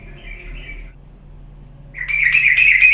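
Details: Yellow-vented bulbul lure recording: a faint short warble, a second of quiet, then a loud fast chattering trill begins.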